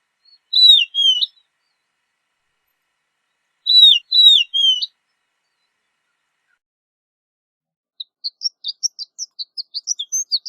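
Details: Horned lark, known in Europe as shore lark, giving two separate high, wavering twittered phrases a few seconds apart, followed by a quick series of thin, high tinkling notes.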